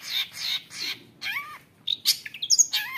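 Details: Long-tailed shrike, a young wild-caught cendet kept as a fighter, singing to provoke other shrikes: harsh squawking bursts alternate with sharp, upslurred whistled notes and rapid chattering fragments, with no other sounds.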